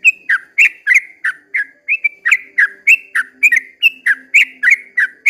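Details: A sooty-headed bulbul sings its long 'ropel' at dawn, with crisp whistled notes that dip and climb in quick succession, paired in places, above faint low background tones.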